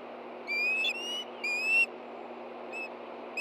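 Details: Osprey at a Montana nest in Hellgate Canyon, 24 August 2013, amid the stir over a fish delivery: two rising, thin whistles under half a second each, then quieter faint notes.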